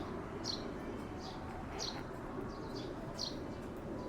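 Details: Sparrow at the Kanzaki River giving short high chirps, five in four seconds, against steady low background rumble.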